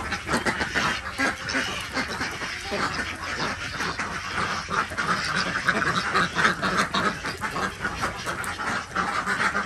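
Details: Morning at a village duck farm in Andhra Pradesh, India, with Desi ducks during egg collection; a dense chorus of rough quacks, about three a second, overlapping and uneven throughout.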